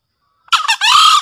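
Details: Male green junglefowl in breeding condition, kept as a master bird for luring, gives a hoarse two-part crow: a short broken opening note, a brief gap, then a longer sustained harmonic note that runs to the end. Quiet background otherwise.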